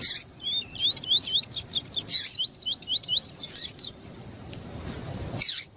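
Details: Double-collared seedeater and calling female, used to excite a captive male for song tournaments: a fast run of about twelve upslurred whistled notes broken by harsh noisy bursts, fading into quiet background.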